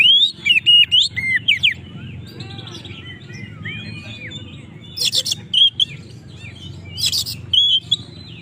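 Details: Oriental magpie-robin delivering rival-provoking song: a run of loud looping whistles, softer varied twitters and a pure drawn-out note, later two harsh rasping bursts amid bright whistles, with a low background hum throughout.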